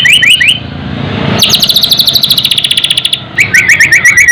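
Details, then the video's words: White-rumped shama song for raising fighting spirit: a few slurred rising notes, then a rapid even rattle of high repeated notes, followed by a series of quick rising whistles. "Special murai batu untuk naikkan fighter,dan Emosi"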